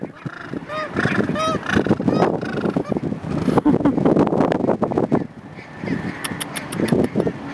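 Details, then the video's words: Gentoo penguins calling at Neko Harbour, Antarctic Peninsula, Antarctica: loud nasal, goose-like honks and braying notes with rising and falling tones, overlapping from several birds. Between calls there are rough noise bursts and faint chattering. "Gentoo Penguins, Neko Harbour, Antarctic Peninsula, Antarctica"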